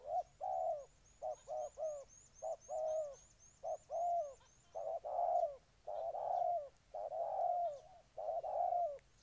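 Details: Spotted dove, Ninh Thuận province, Vietnam, singing a steady run of soft, low coos grouped in short-long pairs, growing fuller toward the end, while a high, repeated chirp from another bird sounds for several seconds.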